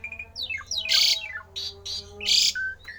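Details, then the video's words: Javan pied starling giving a rare, odd song meant to stir other starlings into singing: descending whistled slurs, loud harsh rasping bursts, and a short steady whistle near the end, with a faint constant hum underneath. "jalak uren suara aneh langka di jamin Jalak uren lain panas ikut gacor"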